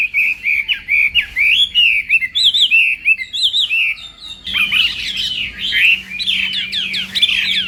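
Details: Morning practice song of a Chinese hwamei, fight-singing style: rippling whistled phrases and quick upward slurs, a brief softer pause, then a louder, denser burst of rich looping notes.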